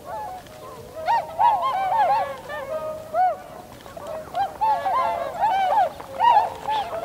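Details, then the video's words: Tundra swans, Cygnus columbianus, in a winter flock recorded 7 February 2015 with an external microphone; a dense chorus of loud, arched nasal honks repeated rapidly, many birds calling together without pause. "コハクチョウ "Cygnus columbianus" の鳴き声。"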